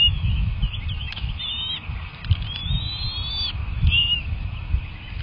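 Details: Bald eagle nest during feeding, two eaglets present, one hatched January 31, 2024, recorded March 18: a run of high whistled notes, some wavering, then a long gently rising whistle and a short final note, with low rumbling and soft knocks behind.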